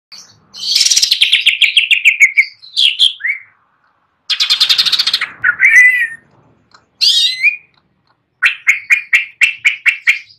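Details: Greater green leafbird perched and singing: loud bursts of rapid, harsh buzzy notes with sliding whistles, separated by short pauses, ending in a fast series of sharp repeated chips; no other sounds.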